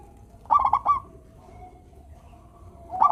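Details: Melodious local zebra dove singing, meant to prompt reluctant doves to sing: a quick stuttering cluster of bright notes, then a drawn-out soft, even coo that fades before the next phrase begins.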